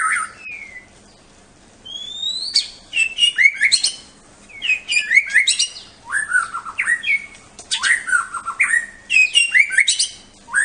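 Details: White-rumped shama (Bahorok murai) singing, a competition bird that reached the President Cup: a rich, fast run of rising and falling whistled phrases with sharp upslurs and buzzy notes, starting after a brief whistle and a quiet pause.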